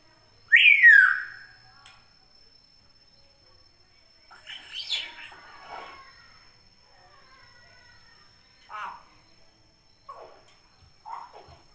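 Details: Actively calling common hill myna in natural surroundings: a loud descending whistled call, then quieter gurgles, chatters and short clipped notes spread over nearly twelve seconds.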